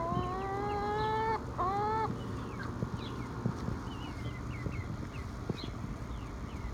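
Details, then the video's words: Young backyard hen, not yet laying, in a flock kept without a rooster, making two drawn-out harmonic calls with a sharp upward end, followed by quieter background chirps and rustling. "Odd Hen Sound"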